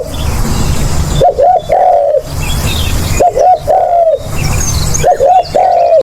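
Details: Spotted dove cooing, used as a lure: three evenly spaced phrases of brief stuttered notes trailing into a drawn-out mellow coo, with low rumbling noise between calls and faint high chirps.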